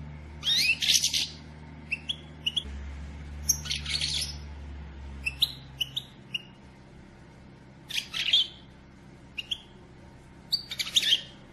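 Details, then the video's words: Female European goldfinch calling to stimulate a male to sing: scattered bursts of high, scratchy twittering chirps every few seconds, with short single tweets between, over a steady low electrical hum. "بتبتة أنثي حسون لتحفيز الدكر علي التغريد والهيجان"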